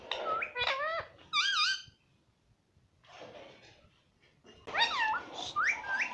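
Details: Pet ring-necked parakeet, green parrot taught to say "mummy", in a small room; wavering shrill whistled squawks in bursts, a quiet raspy stretch, then a loud run of looping, rising screeches.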